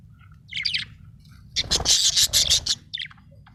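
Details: A happy budgerigar chirps: a short scratchy note, then a fast run of bright, buzzy chirps for about a second, and a final brief twitter, over a low background hum.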